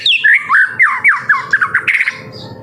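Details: A young white-rumped shama sings to prompt other birds: rapid, loud squawky and whistled notes sliding up and down, delivered in a tight rushing sequence of about a dozen phrases.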